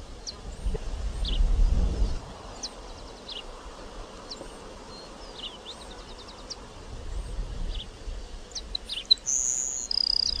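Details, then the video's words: Grassland sparrow (Ammodramus humeralis) singing near the end: a high, thin, drawn-out whistle dropping into a shorter lower note, after many faint scattered ticks and chirps over gusty wind rumble. "CANTO DO TICO TICO DO CAMPO (Ammodramus humeralis)"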